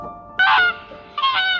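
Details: Swans, a family swimming on water, give two nasal, honking calls, each a brief harmonic-rich blast with a slight upward inflection.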